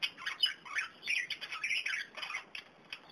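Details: Kakarikis, young birds discovering dandelion while older ones feed on it, giving continuous scratchy squawks and chattering notes that overlap one another over a background hiss.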